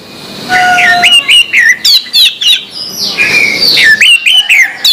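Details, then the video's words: Morning song of an orange-headed thrush, a rapid run of clear whistled, slurred notes that swoop up and down, delivered in quick bursts with brief gaps, fairly loud and close. "suara anis merah plong pagi hari"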